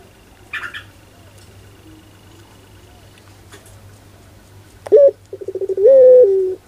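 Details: After a quiet stretch with a few clicks and a faint tone, a Barbary dove (puter) gives one pelung coo: sharp note, pulsed stutter, then a long sustained coo dropping at the end.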